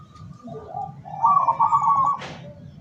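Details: Local zebra dove kept as a decoy to attract wild doves, dated 17 August 2023. Quiet introductory coos build into one loud rippling, rapidly pulsed coo phrase, closed by a sharp click.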